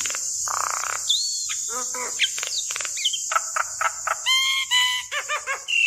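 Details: Female Javan myna calling to the male, a lure recording to get other mynas singing: a busy mix of harsh harmonic notes, short hooked whistles and clipped chatter, over a steady high hiss throughout.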